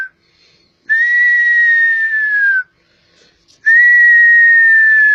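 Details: Oriental magpie-robin (kacer poci) from Java singing two long, pure whistled notes. Each note holds steady, then slides gently downward, with a pause of about a second between them.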